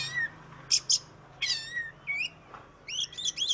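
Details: Lure recording of an Oriental magpie-robin for birds that won't sing: sparse, scattered whistles and sharp high notes with pauses between them, over a low steady hum.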